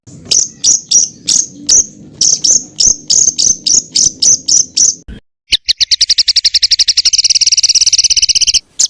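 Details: Fill-in phrases for tutoring songbirds: spaced, sharp high chirps over a faint low hum for five seconds, a short silence, then a very fast, insect-like high trill that speeds up and thickens.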